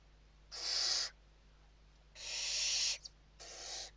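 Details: Western barn owls in a Spanish nest, recorded indoors during evening feeding on 29 November 2023: three harsh, noisy screeching hisses, the middle one longest, separated by quiet gaps and a steady hum.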